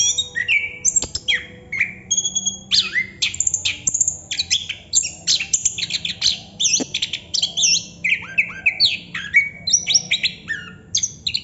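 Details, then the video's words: Long rolling 'ngerol' song from a Chestnut-capped thrush: a torrent of sharp, varied notes leaping between shrill high tones and lower slurred whistles, with barely a pause throughout. "Burung Anis kembang / Plontang Ngerol Non stop durasi panjang"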